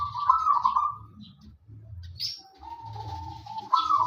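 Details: Zebra dove of a local wild type in full song, kept to prompt others to sing: trilled rolling coos open and close the clip, with a brief sharp chirp from another bird in between and a low hum throughout.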